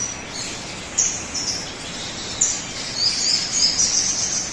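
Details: High, piercing chirps from a sogon bird, played as a lure for other birds to start singing; isolated squeaks early on, then a denser, warbling run of shrill notes in the last second and a half.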